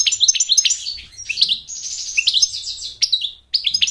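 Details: High, quick warbled twitters and buzzy notes from an American goldfinch, sung to draw a mate and train young birds, pouring out almost continuously before a brief pause and a short final burst.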